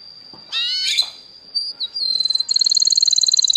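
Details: A canary sings high and bright: a sustained whistle, a burst of harmonic notes, then a fast rolling trill repeated about four times a second.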